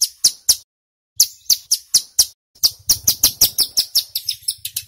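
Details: Male mountain ciblek singing loudly in long, rapid bursts, used to lure wild birds to answer; sharp high chirps come in quick runs, a brief silence, then a dense stuttering series of clipped notes.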